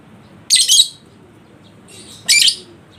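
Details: Lovebird in breeding condition, recorded to provoke another bird into singing: two loud, rasping, high chatters about two seconds apart, with a soft squeak just before the second.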